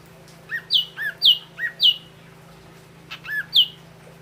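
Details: Clear whistled phrases from an Ashy drongo: repeated pairs of a low short whistle and a sharp high downslurred note, about five in steady succession, a pause, then two more; a low steady hum underneath.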